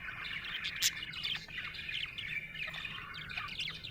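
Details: Happy budgerigar chirping: a continuous stream of bright warbled chirps and short squeaky notes, with a faint low hum underneath.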